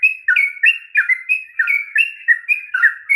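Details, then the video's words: Sooty-headed bulbul giving a continuous ropel song to goad a reluctant singer: rapid chattering whistles alternating higher and lower tones, about three per second. "kicauan TRUCUK ROPEL PANJANG// perangsang bunyi trucukan malas bunyi"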